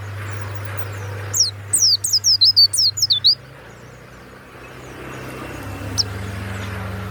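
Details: Caged warbling white-eye sings a loud, clear 'ngeplong' phrase: about ten high, downward-sliding whistles in under two seconds, then a single faint chirp later over low hum and soft ambient hiss.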